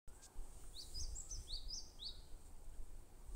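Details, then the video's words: Bar-tailed treecreeper, also called Himalayan treecreeper, in forest: a short series of very high, thin, slurred notes falling slightly in pitch, about six in just over a second, over a low rumble of background noise. "Himalayan Tree Creeper"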